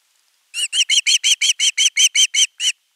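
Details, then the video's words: Osprey chick on a live-camera nest, 10 August 2021, calling for food: after a quiet start, eleven sharp, ringing chirps follow quickly, the last set slightly apart. "Myy huutaa pitkään kalaa"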